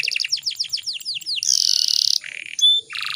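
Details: Canary, a female in breeding condition, calling to lure males to sing: quick high chirps that slow into drawn-out slurred notes, then a loud buzzy rattling burst and a few short sharp notes.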